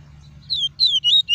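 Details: Double-collared seedeater, a caged bird singing clean tuí tuí song for tutoring chicks: three or four sharp, downward-sliding whistles in rapid succession, clear and high.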